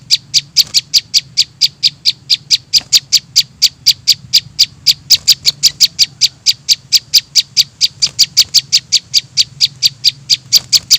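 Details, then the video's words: Young prinia calls meant to attract small birds: an unbroken, rapid chatter of sharp, high ticking notes, about four to five per second for the whole stretch, with a soft low hum behind. "suara anakan prenjak bawah 100% di jamin ampuh buat pikat"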